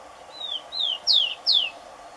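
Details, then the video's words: A rufous-collared sparrow (Zonotrichia capensis, tico-tico) sings four clear, high whistled notes, each sliding downward, the last two louder and quicker, over a faint background hum. "Tico-tico Cantando Muito"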